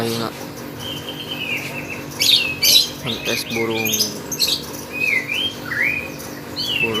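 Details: Contest lovebird in full song: a rapid run of high whistled slurs and squeaky rising-falling chirps, interrupted by a harsh chattering burst near the middle, over constant low background hum.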